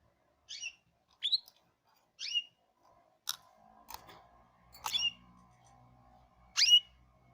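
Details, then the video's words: Hipi-type canary gives six short, high, sweet chirps about a second apart, over a faint steady background hum and a few clicks. "The wonderful canary tweet تغريد الكناري من نوع هيبي"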